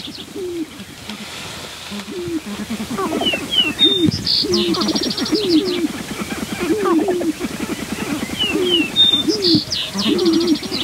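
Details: Sharp-tailed grouse males in a prolonged fight at the lek edge, natural sound via a Rode Videomic: rapid rhythmic clucking and low hooting coos, bent rising notes, with thin high twittering and short whistles from other birds above.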